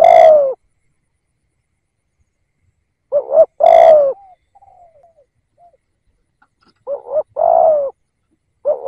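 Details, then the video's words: Decoy spotted dove for luring wild doves, giving repeated two-part coos at uneven intervals with long silent pauses. Each phrase pairs a brief hoot with a drawn-out falling coo. Faint soft notes are heard in one gap. "chim cu gáy kích bổi nhanh nổi"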